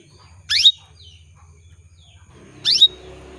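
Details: Female canary calling to males, played to stimulate male singing. Two loud, quick upward-sweeping chirps two seconds apart over a low steady hum.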